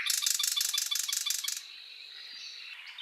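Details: Thrush Nightingale delivering a fast, dry rattling burst of repeated notes lasting about a second and a half, then a quiet pause.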